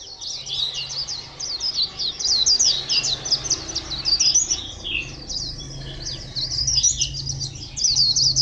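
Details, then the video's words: High, fast, continuous twittering song of a white-eye, recorded at Phù Yên on 02/10/2015, a tumbling stream of thin chirps and trills that swells and fades without a real break. "Chim vành khuyên hót rất hay"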